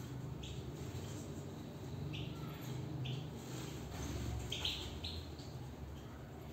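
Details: European goldfinch heard from within a cage, producing brief sharp chirps roughly every half second to second, with a short twittering cluster toward the end and a low steady hum underneath.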